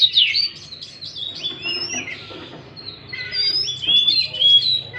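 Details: Oriental magpie-robin song for stimulating a bird that has stopped singing; clear drawn-out whistles mixed with quick chattering notes, louder at the start and end.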